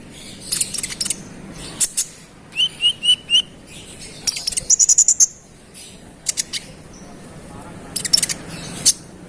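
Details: Scarlet-headed flowerpecker, called konin, singing to provoke rivals: scattered high tinkling chips, a short series of evenly spaced ticks, then a quick run of bright notes and more chips.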